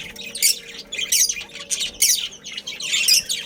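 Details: Budgerigar breeding pair and family. Short bursts of high, scratchy chirps come roughly every half second over a faint low hum.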